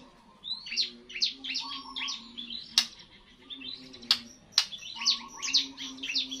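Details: First post-moult song of a young white-rumped shama: rapid series of high, thin chirped notes in loose bursts, with a few sharp clicks and a low steady hum underneath.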